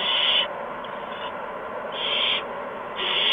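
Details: Owlets in a nest at evening feeding time, March 13, 2015, as mice and a gopher are brought in; three moderate hissing screeches spaced about a second and a half apart.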